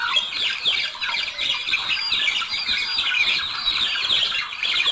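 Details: A budgerigar pair, or couple, singing to stimulate breeding: dense, continuous chattering warble of rapid squeaky notes and scratchy trills, steady throughout without pauses.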